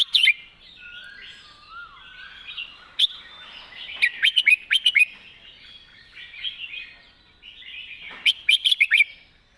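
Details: Red-whiskered bulbul, a caged songbird, delivers its main song pattern clearly: several bursts of sharp, bright chirping notes, with soft twittering warbles in between. Each burst is a rapid run of three to five notes.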